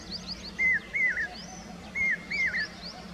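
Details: Common hawk-cuckoo, the brainfever bird, calling: paired sharp whistled notes, each slurring downward at the end, two pairs within about three seconds, with fainter thin high-pitched notes from other birds above.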